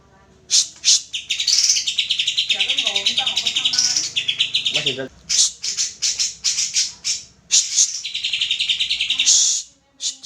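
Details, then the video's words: Greater green leafbird singing, played as a lure to prompt singing: long, rapid, high chattering trills broken by brief pauses, with some lower warbled notes. "pancingan cucak hijau agar mau bunyi"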